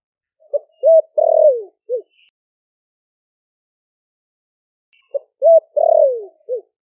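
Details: Caged spotted dove from Ninh Thuận, wild-caught four months earlier, repeats its deep 'thổ' coo phrase twice about four seconds apart to attract wild doves; each phrase has two short coos, a long downward-sliding coo and a clipped ending coo.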